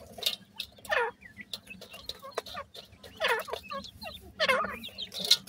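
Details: Brood of grey francolin chicks: loud scratchy bursts every second or so, with a continuous scatter of short, high piping chirps between them.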